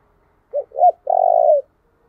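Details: Lure song of a spotted dove for attracting wild birds, two brief coos rising into a sustained, rough, level coo, then silence.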